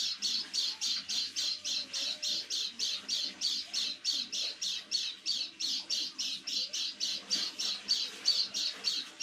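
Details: Caged white-eye kept indoors, giving its strange call as it does every evening toward nightfall: harsh, squawky high notes repeated fast, about three to four per second, in an even steady series with faint room noise behind.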